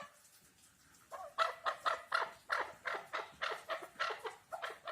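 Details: Chukar partridge: after a quiet second, a run of harsh, broad chuck notes, about four per second, moderately loud and fairly regular.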